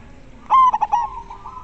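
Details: A single short phrase from a clear-voiced local zebra dove: a bright opening coo, two quick pulsed notes, then a long, fading hum-like tail.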